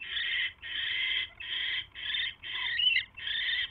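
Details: Evening mouse delivery at an owl nest, January 29, 2016; long, harsh, breathy hisses, each up to half a second, six in under four seconds, one breaking into a brief squeaky twist.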